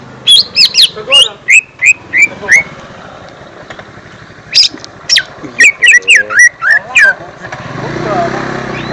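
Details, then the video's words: Young-bird lure song of a lesser green leafbird: repeated rising whistles and sharp chips in two bursts separated by a pause, ending in a low rumbling background noise. "Suara Pancingan Cucak Ijo Mini/Cimini Bakalan"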